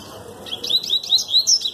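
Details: A Double-collared Seedeater sings a fast, tournament-quality 'tui-tui' song: about six high, sharp, slurred notes in quick succession, gradually climbing in pitch.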